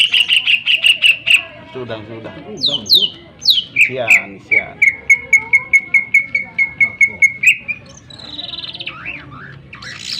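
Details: Greater green leafbird singing sharply as a lure for other birds: rapid ringing notes open, then swooping whistles and a long, even trill of quick repeated notes, ending in a wavering whistle.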